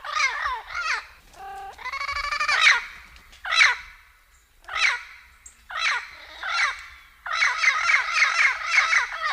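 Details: Turquoise-fronted amazon (Amazona aestiva), calls.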